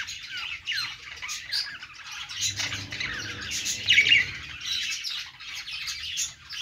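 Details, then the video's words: Perched budgies sing a scratchy, chattering warble with repeated upward-sweeping squeaks. The loudest burst comes near four seconds, then fades into softer twittering. "budgies sounds | love birds sounds | budgies singing on perch"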